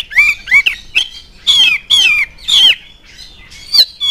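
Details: Oriental magpie-robin singing to draw other magpie-robins into song: short loud whistles, then a series of ringing, downward-sliding whistled phrases about half a second apart, followed by softer notes.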